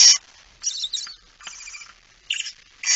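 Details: Barn owl at night, a male bringing in a mouse, 17 September 2019 near midnight; short broken hissy rasps, some loud and some faint, over quiet background.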